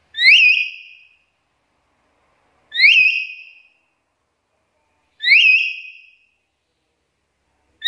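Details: Black-capped lory in a chatty training and lure recording for other lories. Three sharp, rising, harmonic calls, each with a kink at the top, come about every two and a half seconds in a clean background.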